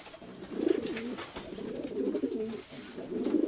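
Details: Domestic pigeons give low, gurgling coos in close succession, phrases rising and falling, with faint clicks behind.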